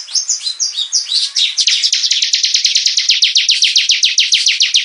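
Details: A vigorously singing bar-winged prinia, recorded for teaching other birds, opens with quick jumbled high notes, then settles into a brisk series of sharp chirps, nearly four per second, rising in loudness.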